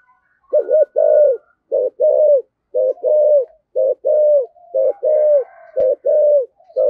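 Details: Spotted dove in 'giọng thổ' voice giving fast 'thúc gù' coos: about seven low, mellow paired phrases, a brief note then a longer falling coo, steadily repeated near once a second.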